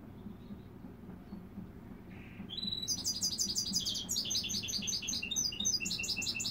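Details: Goldfinch mule, a goldfinch crossed with a dimorphic canary: after a quiet start with a short soft note, bursts into loud rapid twittering, chattering trills and repeated high chirps continuing to the end, low hum beneath.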